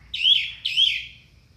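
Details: Orange-headed thrush, a high-volume lure for caged thrushes that will not sing: a pair of full, swooping whistled notes in quick succession, each slurring up then down, then quiet.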